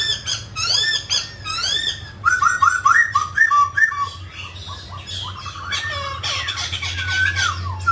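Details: Singing mutant grey laughingthrush performing its song-and-dance: harsh arching notes, then quick runs of short whistled notes and varied squawky phrases, a low hum throughout.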